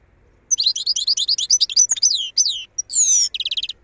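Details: Wild European goldfinch singing a rapid, bright twittering phrase of high, buzzy, slurred notes, ending in a pure whistled note and a fast trill, with no other sounds.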